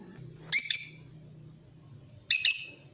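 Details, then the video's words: Lovebird, Creamino type, used to draw out other birds' song: two loud fluttering chatter bursts nearly two seconds apart, with a low steady hum underneath. "Suara Pancingan Love Bird Paud Creamino"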